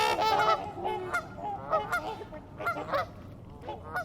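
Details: A flock of trumpeter swans (Cygnus buccinator) wintering in Ann Arbor calls together: loud, nasal, horn-like honks overlapping and tumbling over one another several times a second.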